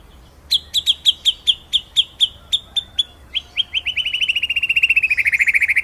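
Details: White-rumped shama master song in rolling 'ngeroll nembak' style for training other birds: evenly spaced sharp high chips, speeding into a fast continuous trill that slides gradually lower.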